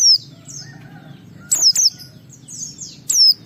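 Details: White-eye singing to provoke other white-eyes into full song, a 'ngalas' style: three loud bursts of thin, very high, downward-sliding whistles about every one and a half seconds, with soft high twittering between them.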